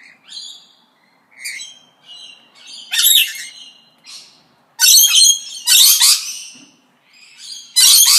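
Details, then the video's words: Several parrots exchange calls: short nasal squawks alternate with loud, harsh screeches that come in bursts, the loudest near the end, with no other sounds. "ΠΑΠΑΓΑΛΟΙ ΣΥΖΗΤΟΥΝ (PARROTS DISCUSSION)"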